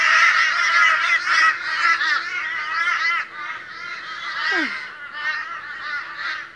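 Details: A very boisterous morning gathering of Australian ravens, several birds calling at once in loud, continuous, wavering nasal caws that soften slightly toward the end.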